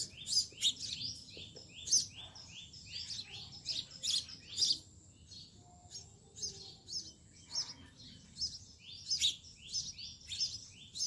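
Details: Sparrow chicks begging while their mother feeds them in a nest in a home garden; dense, overlapping high chirps and short buzzy notes, some louder bursts, faint background hum.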